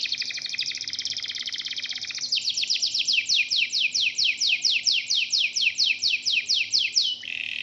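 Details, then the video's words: Local canary in full song, meant as a lure to set other birds singing: a rapid fine trill around two seconds, then a run of loud repeated downslurred whistles about every third of a second, ending in a lower buzzy note. "KENARI LOKAL GACOR TOTAL, SEMUA IKUTAN BUNYI..PANCINGAN AMPUH BIKIN CEPAT GACOR"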